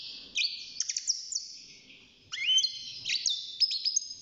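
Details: Six-month-old European goldfinch kept in a cage, starting to sing; two bursts of liquid twittering with a rising slurred whistle in the middle and bright tinkling notes.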